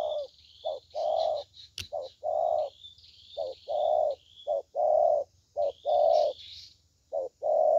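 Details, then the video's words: Spotted dove, a 'thổ tơ' bird praised for its good voice, cooing in low hollow notes: a short coo followed by a longer rolling one, in repeated pairs and triplets, with faint higher chirps from other small birds. "Thổ Tơ Tốt Tiếng"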